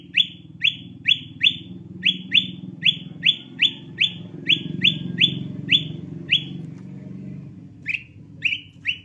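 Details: Sooty-headed bulbul lure call used to attract birds: a fast series of short, sharp notes that sweep upward, about three per second, briefly pausing and then resuming near the end over a low steady hum.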